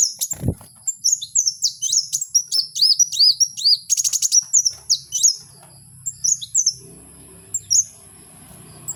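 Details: Kowul singing in the wild: a dense run of short, high, sharply rising and falling chirped whistles. A brief rapid buzzy trill sits midway, and quieter scattered chirps follow toward the end.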